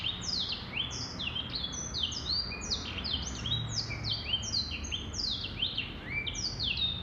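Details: Male black-throated canary in sustained song, a chattering cascade of short whistled sweeps, mostly descending, packed closely together throughout with steady low background noise.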